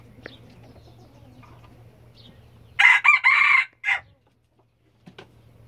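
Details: Crowing white red junglefowl: a short, very loud, harsh crow with three tight bursts and a brief final note, all within about a second, with quiet before and after.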